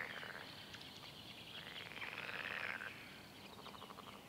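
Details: Red-necked grebe, part of a mating pair followed through spring; soft pulsed chatter builds into an arching, rising and falling wail with fast ticking beats, then fades into quieter rattling phrases.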